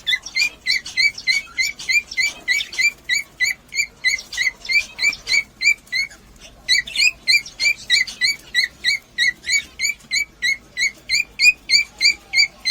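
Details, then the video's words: Cockatiel calls meant to stimulate breeding: a long steady series of clipped, slightly rising chirps, about three each second, with a short pause and a few busier overlapping notes partway through. "مقطع لتحفيز طيور الكوكتيل على التزاوج"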